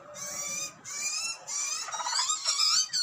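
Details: Begging butcherbird chicks in Australia, fed by parents: long, drawn-out, high nasal wails that overlap and run almost continuously, over a low rumbling background.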